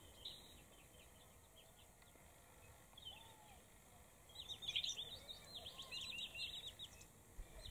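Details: Eurasian blackcap, male and female, recorded on 4 September 2019 in Berislav district, Kherson region; faint, scattered high chirping notes that become a denser burst of twittering in the second half, over a steady hiss of background noise.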